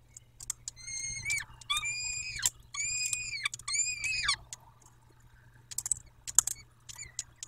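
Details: Nest of peregrine falcons in Dobra, 14 May 2021 at 14:18: four long, harmonic whining calls in quick succession, each falling at the end, then silence broken by clicks and taps.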